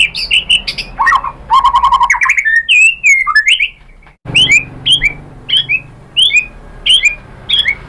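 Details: White-rumped shama song to make other shamas answer: chattering trills and buzzy runs, then evenly spaced sharp rising whistles roughly every half second after an abrupt cut.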